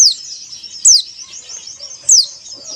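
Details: White-eye song played to stimulate caged birds into singing. A high, thin, rambling twitter is punctuated by three loud, sharp downward-slurred notes spaced about one second apart.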